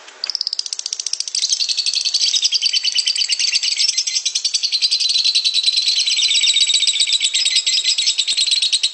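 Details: Long ngekek trill from a lovebird, used as tutor audio so other lovebirds learn to trill quickly: a few opening chirps, then a dense, shrill, unbroken chatter that rolls on for eight seconds, slightly falling in pitch.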